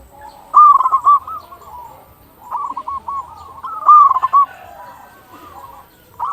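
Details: Local zebra dove in full song for luring other zebra doves to sing: repeated phrases of rapid, stammering coos that rise and fall, about every one and a half seconds, over softer distant cooing.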